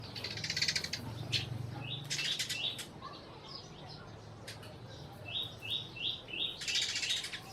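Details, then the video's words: Sparrows in Burma calling with short, bright chirps in quick runs of three to five, separated by pauses, over low background rumble and occasional wing flutters. "sparrow sounds"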